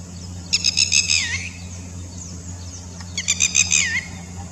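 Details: Red-wattled lapwing's typical call, a clear response to another bird on the other side: two shrill phrases of rapid high piercing notes, each ending in a downward slurred note, with a low background hum.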